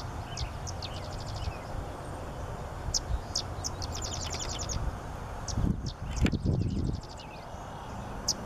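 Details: A Sedge Wren in a restored grassland with low willow areas in St. Joe, Indiana, on 9 June 2018 sings high, dry chips leading into short, rapid staccato chattering trills, repeated every couple of seconds, over low wind rumble and a brief bump.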